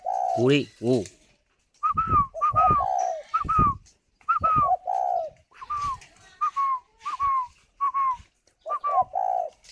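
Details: Caged spotted dove cooing while sitting on its eggs at a bird farm in Ba Vì, Hanoi, Vietnam: low soft hooted coos mixed with a man's repeated higher 'gù' prompts urging it to call.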